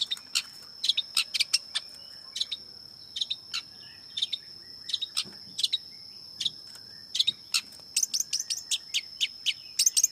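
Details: Long-tailed shrike chattering in quick clusters of clipped, scratchy notes separated by brief pauses, growing denser toward the end, with a constant high whine.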